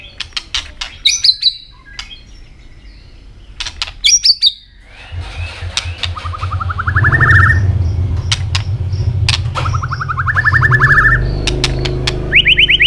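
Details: Asian robin singing among sharp ticking notes, with two buzzy rising trills of rapid repeated notes in the middle and a high trill at the close, over a steady low rumble from about halfway.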